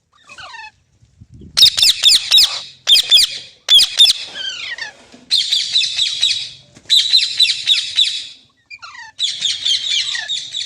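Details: Loud, harsh green parrot squawking in long grating trains, with rapid pulsed screeches that come in bursts, broken by short gaps and a few thin descending squeaks.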